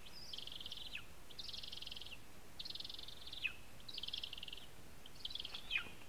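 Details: Lesser spotted eagle at a nest in a spruce in Zemgale, Latvia, gives five high, harsh, buzzy notes, each under a second, repeated about every second over a low steady rumble.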